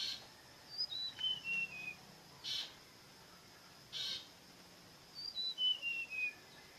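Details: Bird repeats a descending series of clear whistled notes twice, with two short high notes between the phrases, over a faint constant hiss.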